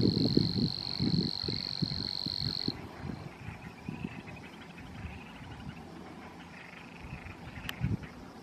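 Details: Savi's warbler (Locustella luscinioides) at Poça do Vau gives a steady, high, insect-like reeling buzz for almost three seconds, then falls silent, with low rumbling wind or handling noise throughout.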